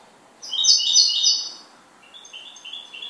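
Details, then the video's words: Pet goldfinch giving a short, loud, rapid twittering trill that fades into softer, thin tinkling notes, all high-pitched and clear against a quiet background. "MI JILGUERO"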